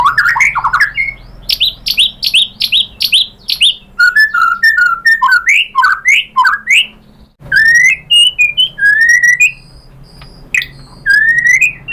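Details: White-rumped shama song played as a lure to make other shamas reply: rich loud whistled phrases, rising and falling slurs repeated in quick series, rapid ticking notes, and scattered high thin whistles.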